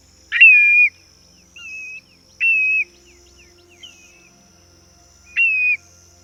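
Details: Black-bellied Plover (Pluvialis squatarola), a migratory bird of northern Canada in summer, giving plaintive, slurred whistles, each dropping slightly at the end, three loud calls and a few softer ones over six seconds.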